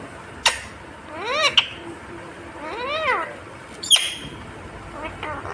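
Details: Parrot talking, its words given as mummy papa. Arched, harmonic syllables come in short phrases, broken by sharp clicking notes against a quiet background.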